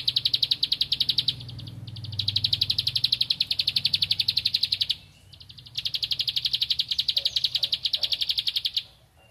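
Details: Bar-winged prinia in full, vigorous song, seeking a rival: fast strings of high, dry, clicking notes repeated several times a second in long bursts, separated by brief silences, over a soft low hum.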